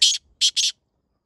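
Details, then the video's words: Black francolin call used in the jungle to draw wild francolins close, recorded on a rainy Thursday, 16 August 2024: three harsh, hissy notes, a single one followed after a short pause by a quick pair, then silence. "kali teetar ki jadooi awaz Jo Qareeb bulwaye Apni awaz pr Jungli teetar ko"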